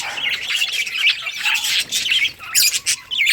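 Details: Budgies playing in a colony, August 25, 2023: sweeping warbled notes and chirps rising and falling, with sharper squawks near the end.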